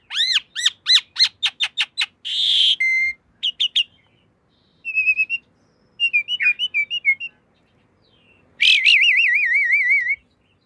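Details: Javan pied starling song used as a master recording for training cage birds: a fast run of about ten rising-falling whistled notes, then a harsh buzzy burst, short whistles and a long wavering trilled whistle.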